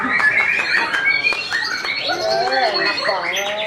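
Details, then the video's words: Moulted, caged white-rumped shama in a training session gives high sustained whistles, then a run of quick up-and-down warbled notes that dip and rise; background chirping and light noise. "Perdana Gantang Pasca Mabung MB"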